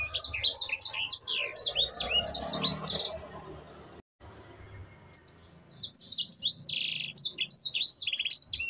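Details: Rapid ngerol song from a sanger finch, a rolling tutor song: bursts of high, clipped whistles in quick runs, a break of near silence midway, then the lively twittering sweeps resume, with soft background murmur under the first half.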